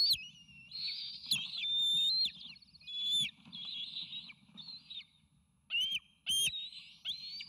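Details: Nest-cam recording of bald eagle triplet eaglets, close to fledge age, calling eagerly for incoming food at the Sauces nest, May 29 2018. High thin whistles rise and waver, some drawn out, broken by sharp clicks and brief quiet gaps.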